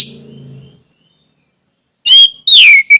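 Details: Orange-headed thrush song for getting caged birds to sing: low rumbling noise fades to silence, then a loud whistled phrase and a slurred descending note close the segment.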